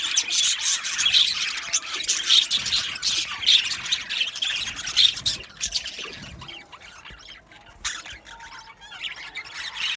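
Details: Budgerigar aviary colony with loud overlapping chirps and squawks for the first several seconds, then the chatter thins and fades quieter toward the end.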